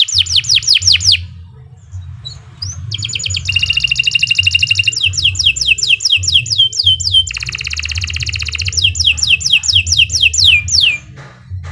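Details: Canary in full song, recorded to train other birds: high, fast trills and buzzy rolls alternate with series of sharp down-slurred notes, delivered almost without pause over a steady low hum.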